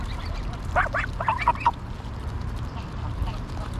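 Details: Greylag geese recorded on a GoPro Hero9 at Pearson Park, Hull, England, 22 August 2021. A rapid series of about six nasal honks runs through the middle, with quieter background rumble after.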